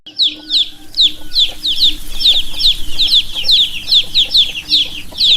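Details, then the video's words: Chirping from several baby chicks begins after a brief quiet moment, then high thin peeps slide downward in steady overlapping runs, with a faint low hum throughout. "Baby Chicks - Chirping Sounds"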